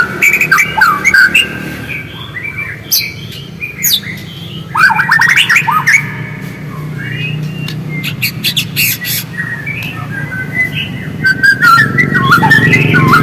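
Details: White-rumped shama song aimed at provoking singing: scattered whistled phrases, sweeping notes and clicky bursts with pauses between, over a noticeable low rumbling background.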